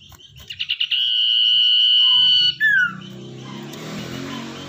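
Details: Common iora, a wild-caught bird tamed in captivity and used as a lure bird: a few quick stuttering notes lead into a long, steady, clear whistle of about one and a half seconds, ending in a short falling slur, then faint background noise.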